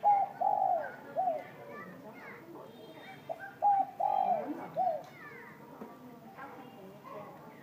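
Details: Spotted dove cooing at noon in a warm voice, including soft low cooing: a series of mellow hooted coos with falling ends, grouped in short bursts, then quieter, with faint speech and room noise beneath.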